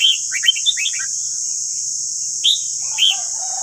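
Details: Red-whiskered bulbul singing in a recording made to train caged birds' voices: a rapid tumbling run of warbled notes, a pause, then two clear rising whistles over constant background hiss.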